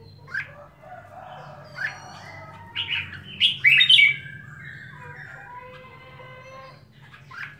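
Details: Red-whiskered bulbul, a household bird, singing sparse whistled notes building to a loud, rich warbling burst near the middle, then softer scattered chirps over a low hum.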